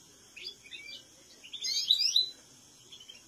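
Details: European goldfinches singing in the song style called slaka: a brief burst of high, bright twittering notes in mid-clip, framed by scattered thin chirps.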